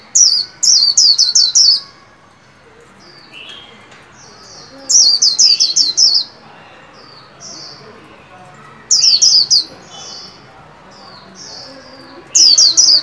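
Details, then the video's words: Caged white-eye singing its líu song during training for new year 2021: repeated bursts of five or six very high, rapid, falling whistled notes, every three to four seconds, with soft twitters between bursts. "Vành khuyên líu hay"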